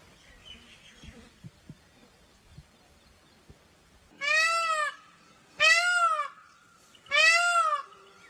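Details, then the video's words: Peafowl, with soft rustles and clicks for about four seconds, then three loud, drawn-out, mewing wails in quick succession, each slightly arched in pitch. "peacock calls & peacock saunds मोरनी और मोर की आवाज"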